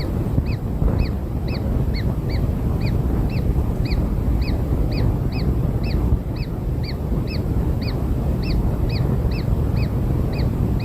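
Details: Kingfisher nestlings, just hatched and being fed black insects, give a rapid steady series of short arched chirps, about two or three each second, over constant low-pitched rumbling noise.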